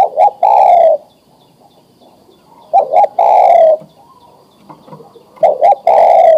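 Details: Adult male spotted dove, ready to mate, calling to a female with three evenly spaced phrases, each two quick coos followed by a long, slightly falling coo, in a quiet setting.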